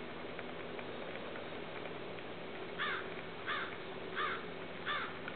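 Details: Snow goose of the atlanticus race, 7.8.12: after a few quiet seconds, four hoarse honks follow at a regular pace, roughly every 0.7 seconds, with a low steady hum behind.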